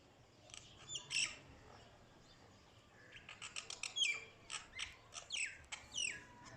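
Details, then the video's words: Mynah bird giving harsh squawks and chattering notes, a loud burst near the start, then a run of sharp clicks and descending whistled slurs after a pause; quiet background. "Mynah bird"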